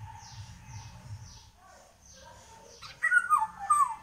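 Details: Singing Indian golden oriole (Haladi Basant): after a quiet start with faint high whistles and low rumble, a clear fluty phrase of several mellow whistled notes, stepping and slurring downward, fills the last second.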